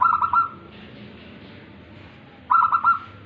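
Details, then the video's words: Zebra dove, a tame local bird, cooing: one rolling phrase of rapid stuttered notes at the start, a quiet gap, then a second similar phrase of four quick soft pulses two and a half seconds later. "perkutut lokal manggung jinak"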